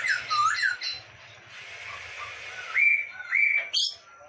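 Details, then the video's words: Indonesian tutor recording of a singing masked laughingthrush: quick dipping whistles, a quieter hissy stretch, then clear steady whistled notes and a sharp high upslur at the end, with faint hum. "MASTERAN BURUNG POKSAY HONGKONG SUPER GACOR"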